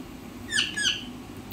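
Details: A yellow ringneck (rose-ringed) parakeet talks, giving two quick, high, squeaky syllables in a row ("mithu", its name), each a brief falling burst, over a faint indoor hum.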